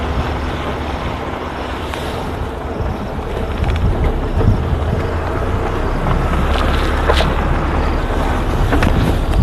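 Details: Steady low engine rumble of a vehicle with wind buffeting the microphone, growing louder in the second half, with no animal voices heard.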